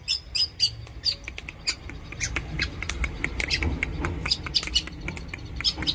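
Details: Pet long-tailed shrike in full, lively song, a dense jumble of scratchy squawks and high chattering notes crowding together, getting busier toward the end, with low background rumble.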